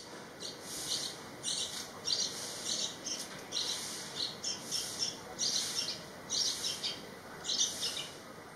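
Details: At a nest by a house in Thailand, where parents feed a Yellow-vented Bulbul chick about to fledge, short high scratchy chirps come roughly once a second over faint steady hiss; Yellow-vented bulbul.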